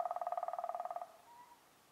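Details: A common crane (Grus grus) at Veliki Lipoglav on 25 February 2024 gives a rolling, trumpeting call of about one second with a rapid burry rattle, followed by a fainter rising note.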